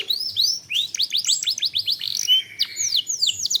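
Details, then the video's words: Canary song used as a lure to make other canaries sing and to raise breeding drive: high whistled sweeps give way to a fast run of rising notes, then a short low buzz and arched downslurred whistles. "Pancingan Kenari / Masteran Kenari / Dijamin Langsung Bunyi"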